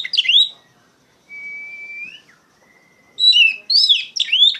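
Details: Loud ngeplong-style Oriental magpie-robin song, meant to stir and tutor raw magpie-robins: a short warbled burst, a long level whistle rising at its end, a softer drawn note, then dense, fast, varied whistled phrases.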